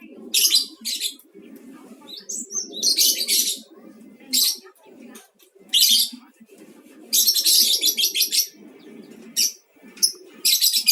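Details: Beginner's lure of lovebird mangsi song for provoking other birds to sing; repeated harsh, buzzy bursts and stuttering chatter, some long and some clipped, over a soft low background hum.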